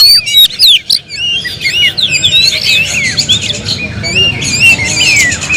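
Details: Kept Oriental magpie-robin singing a rich, varied run of high whistled notes, upslurs and down-slurred phrases, with a few sharp chips in the opening second, over a low steady background hum.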